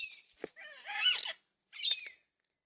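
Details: Four yellow-tailed black cockatoos visiting a backyard feeder in NSW, Australia, captured by a security camera on 20/3/26: a loud, harsh, drawn-out squawk followed by a shorter raspy call.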